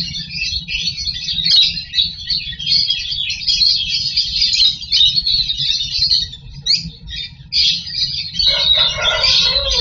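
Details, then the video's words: Lovebirds inside a nest box during breeding, egg hatching and feeding of hatchlings, keeping up a continuous high chattering of squeaky, scratchy notes, growing denser and lower toward the end, with a faint hum indoors. "Live Lovebirds Nest Box Camera"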